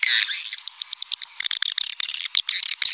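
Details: Swiftlet lure sound: a buzzy chirping burst, followed by a rapid series of short, sharp clicks and high chirps.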